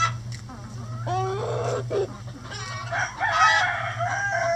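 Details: Rooster among backyard chickens kept busy in the coop with a hanging head of cabbage as an enrichment snack; a drawn-out harmonic crow rises after about a second, surrounded by clucks and squawks from the flock over a steady low hum.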